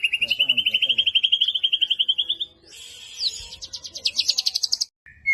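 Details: White-rumped shama song used to provoke other shamas into singing: a long fast trill of repeated notes rising slowly in pitch for about two and a half seconds, then a burst of buzzy, high rapid notes and a brief pause.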